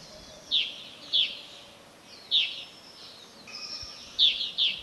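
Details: Whiskered yuhinas (Yuhina flavicolis) near the summit of Doi Lang, northern Thailand: short high chipping notes, singly or in pairs, about six in five seconds, over a steady hiss with faint thin whistles from other birds.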